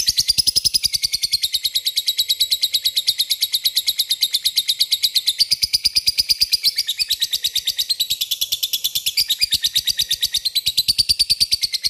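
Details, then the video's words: Lovebird in full voice calling a rival with the long rattling chatter known locally as ngekek: a continuous, rapid, shrill trill of very fast pulses, loud and unbroken for the whole twelve seconds. "Suara burung lovebird memanggil lawan ngetik ngekek gacor"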